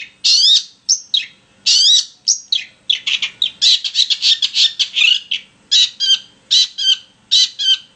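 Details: Long-tailed shrike singing after being provoked with a recording of another shrike: bursts of sharp, squeaky chattering notes and rising whistles, breaking into fast stuttering series of short chips.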